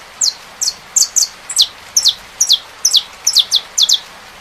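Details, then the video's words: Singing saffron finch with rain: a lively series of high, sliding-down chip notes, sometimes paired, repeated about twice a second over steady background hiss. "CANTO. CANÁRIO DA TERRA COM SOM DE CHUVA."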